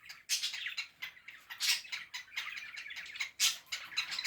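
A cockatiel gives harsh, scratchy squawks mixed with quick high chirps in an uneven burst.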